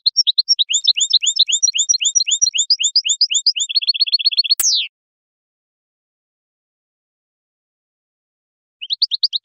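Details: Wild European goldfinch song for teaching young birds: quick alternating twittered chirps, then a faster trill of clipped notes ending in a sharp descending squeal, followed by silence and a final burst of chirps.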